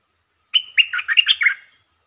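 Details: Lure red-whiskered bulbul delivering a brief, fast-starting song: a sustained opening whistle followed by a tumbling string of rich, slurred notes that bounce up and down, lasting just over a second, with nothing else audible.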